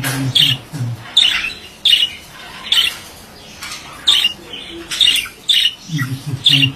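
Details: Male budgerigar giving short squawky chirps, harsh and bright, in bursts about every second, with a low humming sound at the start and end; small indoor room.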